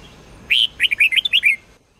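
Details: Sông Kôn red-whiskered bulbul singing for daily training: a single loud phrase, a bright opening whistle followed by a rapid string of six warbled notes, ending abruptly into silence.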